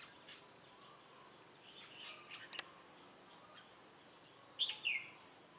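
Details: Caged decoy Red-whiskered bulbul at a trapping site in Bình Phước, Vietnam, 25 June 2018, singing to draw in rival birds: faint scattered chirps, then a loud, quick, rich whistled phrase near the end, with outdoor noise behind.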